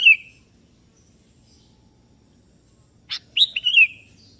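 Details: Sooty-headed bulbul singing persistently at a rival, which answers: a phrase ending at the start, then after a pause a buzzy note and a fluty descending warble.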